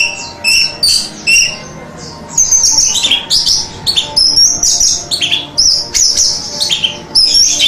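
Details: Recorded as masteran, an Orange-headed thrush sings clear high whistles and rapid twitters, a few spaced phrases at first, then a continuous run of repeated chirping phrases.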